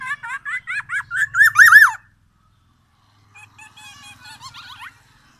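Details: Black-naped oriole of Aceh, Sumatra, delivering white-rumped shama mimicry: a fast run of harsh, buzzy, rhythmic notes building louder for two seconds, a silence, then softer chattering phrases.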